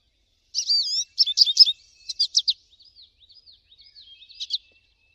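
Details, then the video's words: Wild American goldfinch in song outdoors, opening with bright slurred whistles and quick high notes, then trailing off into softer, spaced, wavering notes that fade out. "PITASSILGO AMERICANO CANTANDO MUITO NA NATUREZA - CANTO DO PINTASSILGO AMERICANO"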